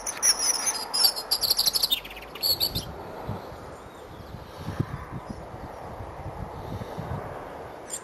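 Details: Wild male European robin singing from a hawthorn at Edgcumbe, Wendron, Cornwall, on a cold grey morning in January 2015: a high, rapid, sweet warbling phrase of thin whistles and trills for about three seconds, then quiet with faint rural rumble.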